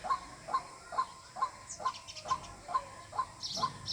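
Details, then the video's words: White-breasted waterhen call used for luring birds to be hunted: nine sharp, evenly spaced notes, each under half a second apart, with a few higher chirps from another bird near the end. "Jal murgi Ki Awaz water hin || ডাউক পাখির ডাক। Waterhen Bird Call।"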